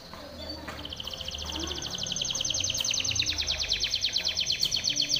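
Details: Timbrado canary song used for training other canaries: a rapid trill of descending notes, speeding up and growing louder, about three notes per second, with faint low background noise.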